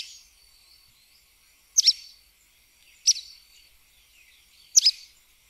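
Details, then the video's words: Three bright, high, clipped double notes from a sooty tyrannulet, spaced more than a second apart, over a quiet background with a faint thin whistle. "Joao Pobre - Canto"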